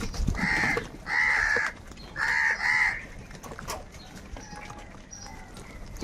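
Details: Crows fighting for food give three raspy caws, the last a doubled call, spaced about a second apart. Faint distant calls and quiet background noise follow.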